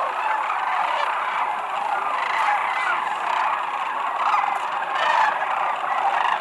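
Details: Sandhill cranes by the thousands arriving at Whitewater Draw Wildlife Area near McNeal, Arizona, in February 2018, high flyers coming down to land; massed rattling bugles merge into a steady roar with louder surges near the end.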